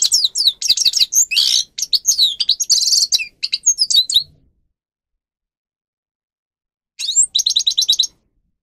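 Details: Grey-crowned goldfinch (Carduelis caniceps) training song for caged birds: a hurried jumble of high twitters, buzzes and sweeping notes, then a long silence before a short, evenly pulsed trill.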